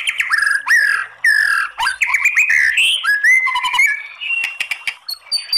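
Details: White-rumped shama song used to provoke singing, kretekan style; loud varied whistles, upward and downward slurs and sharp chips in a rich, irregular phrase.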